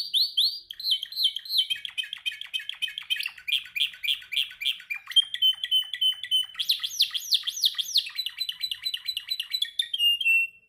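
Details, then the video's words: Energetic canary song from a training session, with rapid repeated swoops, dense chattering trills, a loud run of rising sweeps and a closing buzzy trill, sung without pause. "Your canary sings immediately when he listens to this canary singing"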